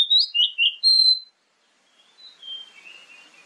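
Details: Oriental magpie-robin lure song for morning and evening, meant to make other birds answer: four rapid loud whistled notes, the last a long clear tone, followed by quieter trailing warbles.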